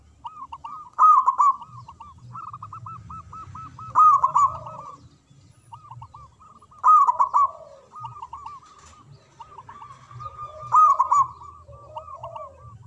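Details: Local zebra dove singing in the manggung and ngayer style, kept to make mute doves sing again. Continuous rapid, bubbling coos broken by four loud rolling phrases about three seconds apart, with lower soft coos between them.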